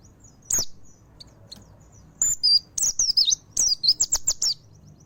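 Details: One lone sharp high note, then after a pause a rapid rush of tumbling, sliding twitters from a mountain white-eye, ending in quick descending flicks.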